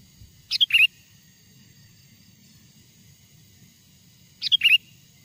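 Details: Sooty-headed bulbul song from a wild bird, played to lure wild bulbuls near: two brisk phrases about four seconds apart, each a sharp high note then slurred, chuckling whistles; quiet low background hum.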